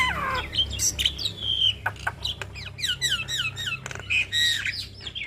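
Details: Tutor recording of a Javan myna's long rolling song (ngeroll panjang) for young birds: an opening falling whistle, drawn-out whistled notes, clicks, then a run of quick repeated downslurred chirps mixed with squeaky high notes.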